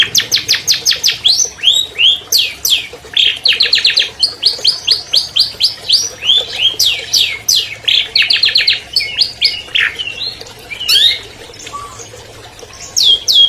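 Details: Prize-winning albino long-tailed shrike delivering a long, clear, richly varied song used to stir silent captive shrikes: rapid trills, chirps, buzzy rattles and sharp whistled notes running almost without pause, fading into scattered notes near the end.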